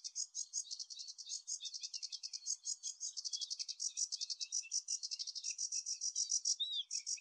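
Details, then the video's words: A sedge warbler sings at Anderstad, Lier, on 17 May 2024: a fast, unbroken, restless chatter of dry, scratchy and churring high notes, several per second, with a brief whistled note near the end. "Zingende rietzanger"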